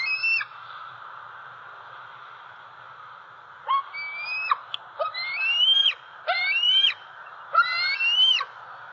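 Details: Perched in the nest tree on an October 2020 morning in Southwest Florida, a six-month-old juvenile bald eagle calls for food: a short call, a pause, then four loud, stepped, rising whistles that fall off sharply at the end, over constant hiss.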